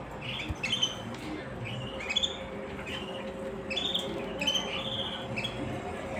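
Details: A canary sings short clipped chirps and quick high sweeps in uneven groups, with a quiet steady background hum throughout.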